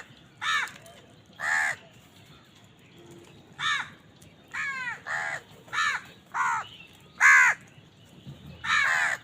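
A crow gives about eight harsh, nasal caws, each under half a second, at an uneven pace over nine seconds, with low background rumble.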